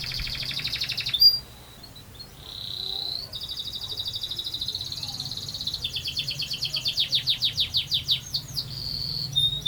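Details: Canary in long rolling song: sustained high buzzy trills shifting pitch, then rapid repeated downward-slurred notes quickening into a rattling roll, with low hum underneath.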